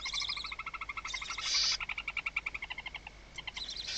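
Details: Barn owl calls inside a nest box, second clutch, Riet Vell reserve, Ebro Delta, night of 21 October 2025, as the male brings the first prey: a fast chittering string of bright pulses, about ten a second, broken by a short harsh hiss.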